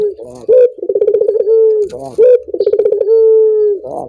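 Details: Collared dove (puter) call meant to start other doves singing: two phrases, each a sharp opening note, then a run of quick low pulses, then a long even coo that fades slightly in pitch.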